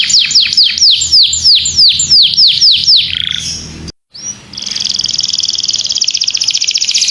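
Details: Pet domestic canary in full gacor tutor song for training other birds: about nine quick downslurred whistles, a brief pause, then a fast, buzzy high trill that runs on steadily.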